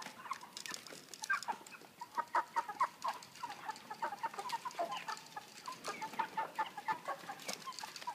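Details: Broiler chickens of about 3 kg housed in cages with pan feeders and plastic floors, a crowded chorus of overlapping short clucks and chirps over a steady background hum of the house.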